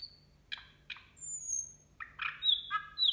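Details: Nightingale singing at New Year: a varied phrase of short clicking notes, a high thin whistle, then rising and falling slurred whistles and bright repeated notes, with a quiet background.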